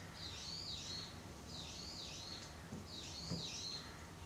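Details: Brown-eared bulbul calling outside a pottery workshop in Japan, giving three shrill, screechy calls, about one every one and a half seconds, over faint low background noise and a few soft knocks.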